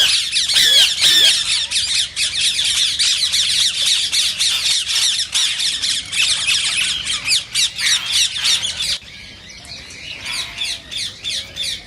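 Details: Rose-ringed parakeet calling to stimulate song and mating: a fast, steady run of shrill, rasping squawks for about nine seconds, then softer, more distant chatter of similar notes.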